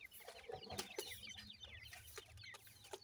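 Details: A group of seven-day-old grey francolin chicks while feeding give dense, quick, high-pitched peeps, often slurred downward, with a few low soft clucks scattered among them.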